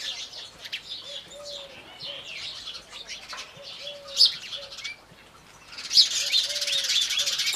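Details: Morning chirps of Indian house sparrows, busy tweeting that briefly thins, then swells into a dense, loud chatter, with soft dove coos below.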